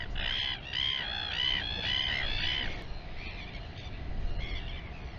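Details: Royal albatross at the Taiaroa Head colony near Dunedin, New Zealand: a quick run of about five nasal, harmonic braying notes over three seconds, then fainter scattered calls, against steady low wind rumble.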